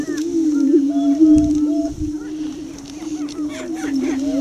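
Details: Young male greater prairie chicken showing off near blinds on a Minnesota lek at Tympanuchus Wildlife Management Area; a deep steady booming hum runs beneath short clipped cackles and a few rising whoops, plus two soft low bumps.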